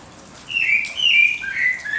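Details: Birds singing at dawn: a clear whistled phrase of three slurred notes, each gliding downward and slightly lower than the last, over a quiet background.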